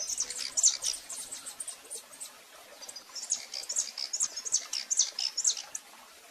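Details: Live recording of a calling female rufous-collared sparrow. Thin, high chip notes repeat at about two per second in two runs, with a short lull between them.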